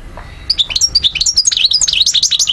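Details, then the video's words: Algerian European goldfinch, 2012, rattling off a fast, continuous stream of bright, tinkling high notes with rising and falling slurs. "Vidéo Carduelis* chardonneret* jilguero* حسون alger ( Algeria) DZ 2012"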